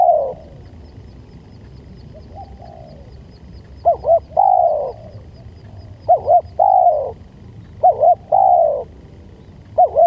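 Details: Lure call of a spotted dove: a steady series of phrases, each two quick rounded notes leading into a sustained, gently falling coo, repeating roughly every two seconds, with faint high ticking in the background.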